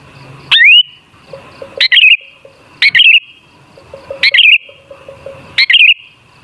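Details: Sooty-headed bulbul (kutilang) singing as a lure: one upslurred whistle, then four bubbly warbled phrases about one second apart, with quieter clicking notes in the pauses.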